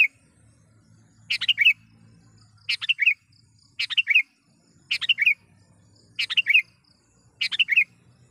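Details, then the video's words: Sooty-headed bulbul calling a rival, recorded as a lure for wild bulbuls: six rapid bubbling phrases of tumbling notes, each about a third of a second long, repeated steadily every second or so, with soft low rumble. "suara BURUNG KUTILANG gacor memanggil lawan"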